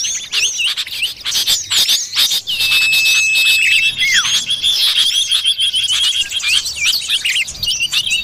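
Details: Forest lure sound of the common iora: a drawn-out flat whistle followed by a short descending note, while rapid high twitters and chattering chirps fill the background.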